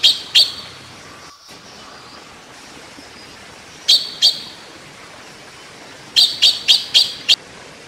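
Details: Taiwan blue magpie, also called Formosan blue magpie, endemic to Taiwan, recorded while bathing; short sharp high calls given in pairs and then a quick run of five, separated by quiet gaps over steady background hiss.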